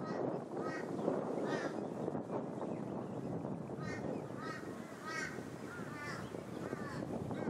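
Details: Plumed whistling-ducks, Sunshine Coast, Queensland, August 2023: a rapid run of short, arched whistles in uneven rhythm, partly masked by dense rumbling noise.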